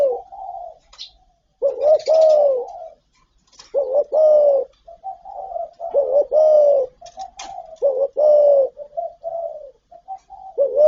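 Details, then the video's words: Spotted dove running through its calling and cooing repertoire: mellow, throaty coo phrases of stuttered short notes and a longer sliding coo, repeated back to back every couple of seconds, with faint clicks in between. "Tiếng chim cu gáy đủ bài gáy gọi, thúc, gù"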